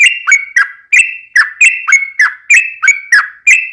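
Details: Rapid lure song of a yellow-vented bulbul meant to make other bulbuls reply: clean whistled notes, each with a sharp downward flick, repeated steadily about three times a second.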